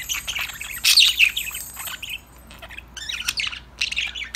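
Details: Pet budgies chirping, singing and talking to each other: a loud burst of busy twittering chatter early, then quieter gap and renewed bursts of high chirps.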